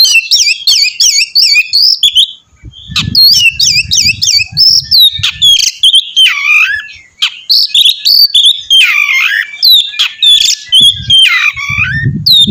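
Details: Oriental magpie-robin singing loudly to prompt another magpie-robin to join in: a dense stream of high whistles, trills and chattering notes, fast repeated short phrases at first, with soft low thumps underneath.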